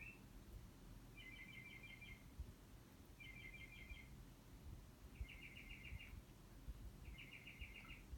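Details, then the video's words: Bird outside a window giving a varied series of calls: five quick, clipped, high trills spaced roughly two seconds apart, with constant low rumbling noise underneath. "Bird making all the bird noises"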